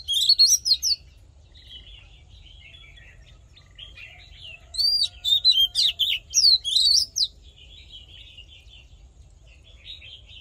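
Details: Fighting song of an Oriental magpie-robin, used for voice training: loud bursts of varied whistles and chattering notes at the start and middle, softer scratchy warbling in between, quiet background.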